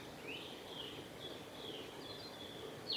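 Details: Male Japanese thrush at Kawaguchiko Field Center, recorded 8 July 2017: clear, high whistled notes, some rising and some sliding downward, held in long phrases over a soft steady background hiss.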